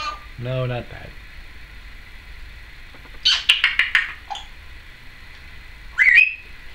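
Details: Female pet Timneh African grey parrot, filmed in 2012, makes a low, buzzy, harmonic croak, then a quick run of sharp clicking notes, and finally a rising whistled squeak.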